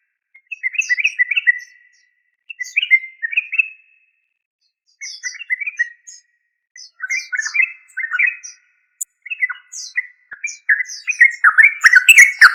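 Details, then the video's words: A series of short chattering phrases from a yellow-vented bulbul (trucuk), separated by brief silences, the phrases getting busier and louder toward the end, where a noisy burst joins in. "Yellow Vanted bulbul trucuk"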